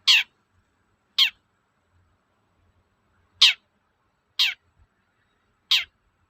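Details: Long-tailed shrike toet-toet call, meant to stir untrained shrikes into song: five sharp, high notes, each sweeping steeply downward, given singly at uneven gaps of one to two seconds.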